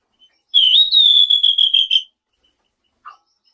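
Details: Selendang biru song used as a lure to make surrounding birds respond: one long, steady, slightly wavering whistle, high and clear, lasting about one and a half seconds, then a faint low note.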